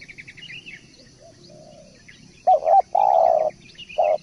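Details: Tekukur, or spotted dove, starting a song: rapid high chirps of other small birds first, then a stuttered double note, a long steady low coo and one short final coo.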